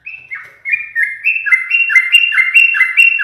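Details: Loud, steady stream of bright, bubbling whistles from a caged yellow-vented bulbul that its owner teases often, notes rising and dipping in quick succession.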